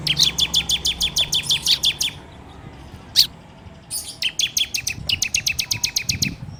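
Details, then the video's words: Ciblek, the bar-winged prinia, in full 'ngebren' song recorded on Android as a lure: a rapid, evenly spaced trill of bright, high notes, a pause with one loud note, then another fast trill. "PANCINGAN SUARA CIBLEK TERBAIK FULL NGEBREM RAPETT!!!"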